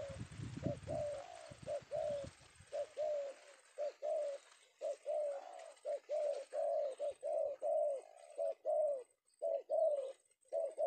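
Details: Indonesian male spotted dove of the penguku kind, secured in the afternoon, delivering a long run of rhythmic two-part coos, roughly one per second, after early handling thumps.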